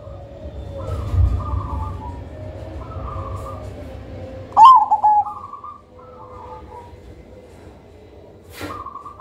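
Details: Black zebra dove of the Majapahit line, valued as a lure for other birds for its thick, loud, melodious voice; repeated cooing phrases of stepped level notes, with a few sharp clicks between them.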